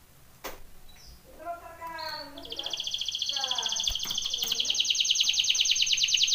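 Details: Canary song for training: after faint low harmonic notes, a bright rapid trill starts at mid-clip and builds steadily in loudness, repeated about three times a second, with a faint background hiss.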